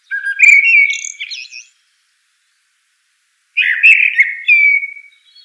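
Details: Eurasian blackbird: a warbled fluty phrase with squeaky high twitters, a two-second silence, then another mellow whistled strophe trailing off in thin notes.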